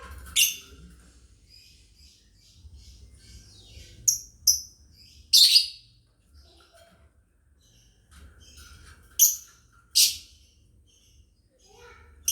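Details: Chirping lovebirds of a family group, as a master song for training: scattered loud, harsh high chirps in pairs, mixed with soft thin twittering notes in the background.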